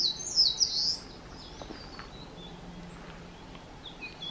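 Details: At Shuhogahara in Kobe, Japan, 30 May 2020, a Blue-and-white flycatcher pair holding caterpillars as chicks fledge; a bright, high whistled phrase opens strongly, followed by faint scattered whistles and soft background hum.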